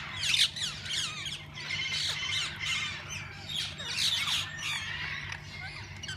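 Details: Parakeets of different kinds in a walk-in aviary at a parrot zoo, where visitors feed and hold them. Dense, overlapping high squawks and chatter rise in bursts, loudest near the start and around four seconds, over a low steady hum.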